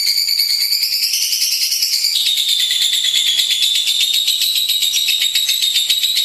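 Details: Lovebird in vigorous, nonstop 'gacor' singing: a dense, high, buzzy chatter of rapid trilled notes that runs without a break. A steady whistled tone drops slightly in pitch partway through and then continues under the chatter.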